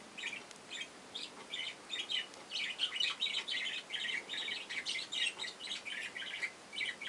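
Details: Young budgerigars in a nest box, giving a steady, faint chatter of short, high chirps, several overlapping, with a soft hiss behind.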